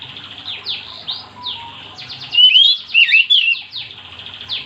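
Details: Oriental magpie-robin song intended to make other magpie-robins sing: soft repeated downslurred notes around a loud central burst of bright, twisting whistled phrases.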